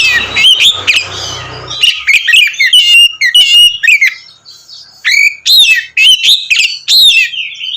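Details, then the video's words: Oriental magpie-robin in loud continuous song intended to rile other magpie-robins; opens over a rumbling hiss, then bright whistled phrases, clicks and rising slurred notes come in quick succession. "kacer ngeplong gacor mancing emosi kacer lain"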